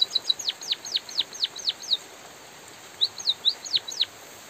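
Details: Lively singing from a white-headed munia under drizzle: a fast run of high, downward-swooping notes, a brief gap, then a few more rising-and-falling slurs. Rain patters softly throughout.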